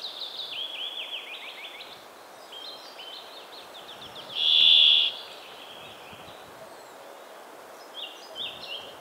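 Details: A brambling, a winter migrant flocking in Central Europe, gives one loud, nasal, drawn-out wheezing note lasting under a second, among scattered high chirps and a steady background hiss.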